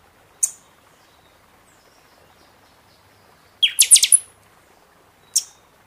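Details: Captive buffy-fronted seedeater song for stimulating birds after moult: a single high chip, a fast phrase of five or six loud piercing whistled strokes ending on a thin high note, then another chip.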